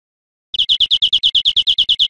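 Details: Greenfinch singing on a cage-bird teaching recording: after half a second of silence, a quick series of clear, evenly spaced chirping notes at a steady high pitch, about seven per second, continuing to the end.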